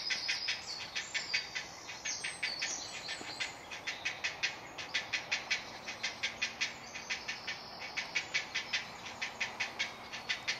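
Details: Great blue heron hatchling at a colony nest in Delft woods, South Holland, the Netherlands, crying for food: long sequence of rapid, dry, rasping clicks, regular and continuous over ten seconds, with high songbird whistles early on.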